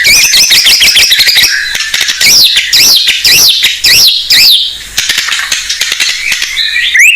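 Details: White-rumped shama of the blorok form, singing loudly to stir untrained shamas. A fast stuttering trill leads into a row of looping, wavering whistles, then scratchy chatter and a final upward slur.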